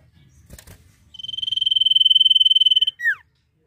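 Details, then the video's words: An actively singing common iora delivers the 'nyiul' phrase: a sustained, evenly throbbing high whistle building to full strength over almost two seconds, closed by a sharp descending slur. A brief knock comes earlier. "CIPOH GACOR FULL NYIUL MANTUL!!"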